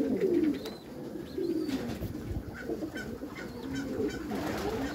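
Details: Meulemans racing pigeons in a backyard loft deliver deep burbling coos, each rising and falling, with a few thin high squeaks and soft knocks between them.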